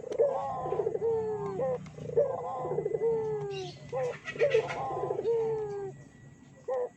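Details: Barbary dove cooing, a lure to stir other doves into calling. A sharp opening note leads into a drawn-out descending coo, and the phrase repeats about every two seconds at an even pace.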